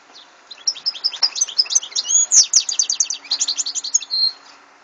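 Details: European goldfinch singing in 2014, a continuous rapid stream of tinkling high notes, clipped chirps and trills, ending on a drawn-out buzzy nasal note.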